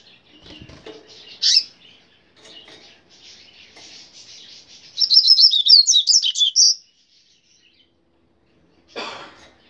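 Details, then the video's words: Coleiro grego pardo, a Rusty-collared seedeater: soft, scratchy twittering builds into a bright, rapid burst of high warbled notes about two seconds long, ending with a brief harsh rustle after a pause. "Coleiro grego pardo"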